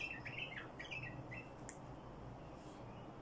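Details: Bulbul singing in the badrawi style: a quiet run of short warbled, slurred notes near the start, then brief fainter notes, over a steady low background hum.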